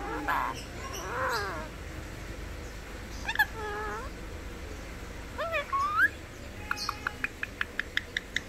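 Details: Indian ringneck parakeet that mimics two words, "mikum" and "peekaboo", giving several short voiced, speech-like phrases with rising and falling tones, followed by a run of evenly spaced sharp clicks.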